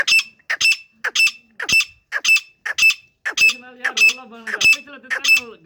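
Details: Female grey francolin (gora teetar) giving sharp, harsh call notes repeated about every half second in a steady series. A low human voice murmurs beneath the calls during the second half.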